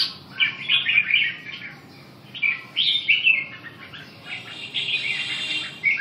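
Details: Red-whiskered bulbul singing short bursts of bright, warbled whistled phrases, several notes each, separated by brief pauses and repeated about every second or two.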